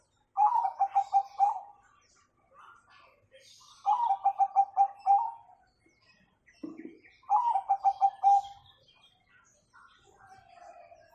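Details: Zebra dove of the Bangkok type, used as a master song for young birds, repeats its 'kung' phrase three times at about three-second intervals. Each is a rapid series of pulsed coos ending in a held note, with a brief low sound between phrases.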